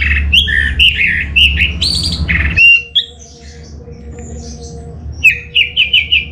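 An orange-headed thrush sings a rich, varied run of loud warbled and mimicked phrases. After a brief pause, the singer returns with a quick series of bright repeated notes over a low hum.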